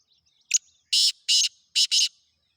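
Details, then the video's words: Harsh rasping call of a black francolin (Kala Teetar): a brief sharp opening note, then four loud grating notes over about a second and a half, the final pair nearly joined. No other sounds. "Khasar Teetar Chakri wala Teetar"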